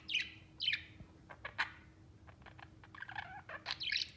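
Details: Budgerigars, three sharing space amicably, give a few loud downward squeaky chirps, then softer clicks and a muffled warbling phrase before another bright chirp.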